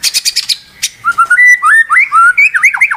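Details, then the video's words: A burst of five rapid harsh ticking notes, then a pause. The white-rumped shama then runs into a sequence of clear fluty whistles that rise and fall, each distinct and loud. "SEKETIKA MURAI BATU MACET BUNYI LANSUNG TERPANCING EMOSI tak mau berhenti"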